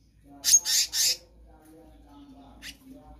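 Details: Black-naped monarch calling actively, used as a tutor for other birds: three loud harsh rasping bursts in quick succession, then quiet with one short rasp near the end and a faint low hum.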